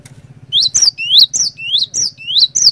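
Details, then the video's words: Cinereous tit (glatik batu) lure song: a series of upward-sweeping, bright whistled notes each ending in a sharp click-like break, repeated about twice per second over a low humming background. "PANCINGAN BURUNG GLATIK BATU GACOR INI ASLI BIKIN GLATIK BATU LAIN LANGSUNG IKUT BUNYI"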